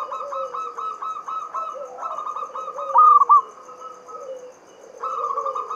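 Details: Local zebra dove from Java, singing the Mataram standard rhythm as a lure for reluctant doves. A long buzzy stuttering trill climaxes in one loud three-note burst, with quieter low coos and a renewed trill afterward.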